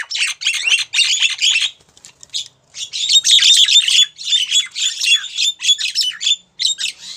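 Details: Female Javan myna calling for a male, giving harsh, grating squawks in quick, uneven succession, about four per second, with a brief lull before a louder, denser stretch of rasping chatter.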